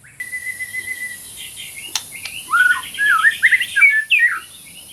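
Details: White-rumped shama song used to train birds and to prompt silent shamas to sing: a long, steady whistled note, a pause with clicks, then a quick jumble of warbled, looping phrases.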